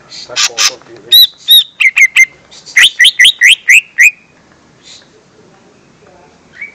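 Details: Lure song of the lesser green leafbird, used to attract young birds: loud clear whistles and sweeping chirps delivered in fast bursts, including a rapid series of about six rising slurred notes, then fading away.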